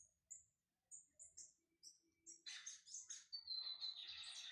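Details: Lined Seedeater in brown plumage (bigodinho pardo) warming up: a few separate thin, high whistled notes open, then the bird breaks into a fast, continuous run of buzzy, chattering high twitters that builds in loudness to the end.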